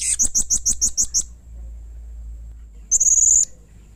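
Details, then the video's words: Loud, harsh calling by a blue-crowned hanging parrot: seven evenly spaced piercing high notes, a pause of over a second, then a rapid buzzing run of fine high ticks. Low hum underneath. "Burung Serindit GACOR Nembak Emosi Mbeset Kasar || Bikin Serindit lain Emosi ikut Bunyi"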